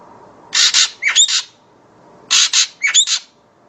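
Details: Common green magpie giving two rounds of harsh rasping double squawks, each followed by a short rising whistled note, about two seconds apart against a quiet background.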